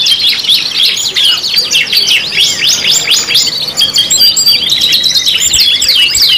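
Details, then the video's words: Canary song in a five-in-one lure mix: steady stream of quick, high chirps and sweeping whistles layered into a dense, unbroken chorus. "PANCINGAN KENARI 5 IN 1 | CANARY SINGING"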